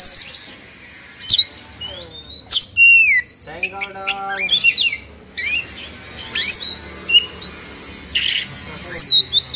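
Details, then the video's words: Excited Oriental magpie-robin in 'kongslet' mood, tail fanned and beak open, Indonesia. Sharp whistled notes and high slurred sweeps alternate with a short harsh buzzy chatter, delivered in bursts with gaps between. "Suara Kacer Emosi/Kongslet"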